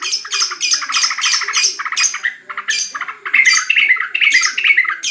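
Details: Caged yellow-vented bulbul (trucukan) kept at home while bird contests are off during the corona period, singing in dense bursts of chattering, buzzy notes around mid-pitch with sharp clicking overtones, phrases breaking off and restarting every second or so.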